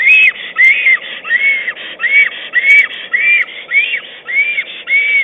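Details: Black stork at its nest on 22 April 2009, calling to its mate while arranging twigs and moss: a steady run of high, arched, whistled notes, each rising then falling, repeated about twice per second, with a few faint ticks.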